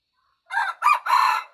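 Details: Red junglefowl crow, heard from its start: a short harsh note, a brief second burst, then a long rasping held phrase, with the recording ending as the final note begins.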